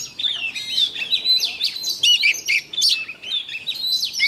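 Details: Morning practice song of an oriental magpie-robin used as a lure to get birds fired up; dense, high whistled notes, short trills and sharp upslurs strung together without pause.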